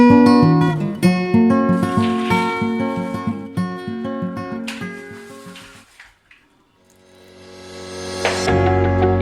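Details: Plucked acoustic guitar with strummed chords fades almost to silence near the middle, then swells back with a brighter sustained tone; no animal voice is heard.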